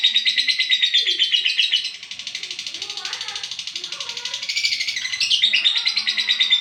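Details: Olive lovebird chattering for a long stretch: dense, buzzy, rapid high notes with almost no pause, dipping in loudness around the middle before building back up; a few lower squeaks underneath.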